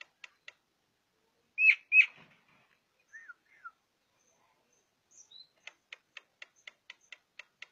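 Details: A white-eyed Javan myna, in a natural recording used for song tutoring, gives two loud, rising whistles, then shorter falling whistled notes and a fast, even run of sharp dry clicks, about four per second.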